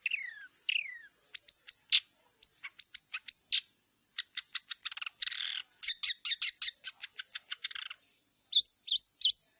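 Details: Wild long-tailed shrike singing a varied, rapid song: sharp high chips and ticks in quick irregular bursts, with downslurred whistles at the start and twisting whistled notes near the end.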